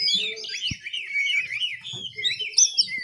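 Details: Young oriental magpie-robin learning to sing (ngiriwik). A dense, breathless twitter of rising and falling whistled notes is run together without pause, with a single soft knock partway through.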